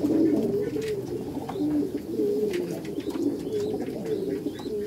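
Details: Clear, steady low coos from Meulemans racing pigeons in a backyard loft, several birds calling in overlapping smooth phrases with faint chirps above.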